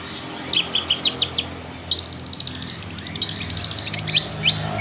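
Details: Local long-tailed shrike from Banyuwangi, a kept bird: bursts of sharp, high chattering notes in quick series, with pauses and a steady low hum underneath.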